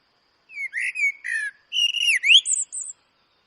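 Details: Mellow, flute-like whistled phrases from a Eurasian blackbird, a smooth warble dipping and rising, closing with a pair of faint, squeaky high notes; quiet background.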